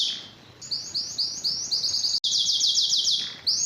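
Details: A canary sings bright, high rolling trills, each phrase a rapid chain of short rising notes, with a brief break midway before a faster, tighter trill.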